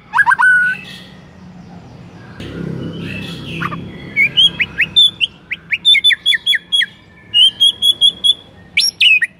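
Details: White-rumped shama, or murai, song used to provoke other shamas into singing: loud sharp whistled notes and rapid repeated chips in quick bursts, with a brief noisy rustle midway.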